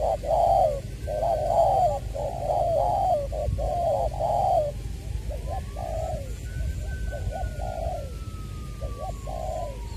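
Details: Spotted dove kept as a decoy, from Trà Vinh, Long Đức, Vietnam, 22 February 2021, "Chuẩn Giọng Tiểu" voice; continuous cooing phrases of short and drawn falling notes, louder at first, with a thin rising then falling whistle-like tone in the background.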